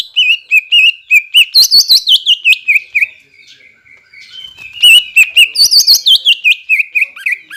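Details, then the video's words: Greater green leafbird singing as a lure to provoke captive raw and group-kept birds into song: rapid runs of looping whistled notes, about two per second, pausing briefly midway before another fast, warbling run. "PANCINGAN CUCAK IJO AGAR BUNYI BUAT CUCAK IJO BAHAN DAN OMBYOKAN LANGSUNG NYAUT"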